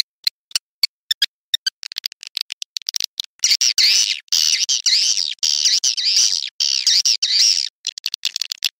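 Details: Swiftlet call used to attract birds for swiftlet farming: it opens with a series of sharp, spaced clicks, then turns into a continuous high, wavering twitter in long bursts.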